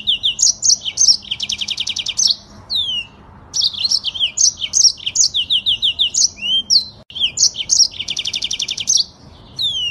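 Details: Fast, tightly packed song of a Yellow-fronted canary: high whistles interleaved with dense trills, broken by two brief pauses, each time restarting at full speed.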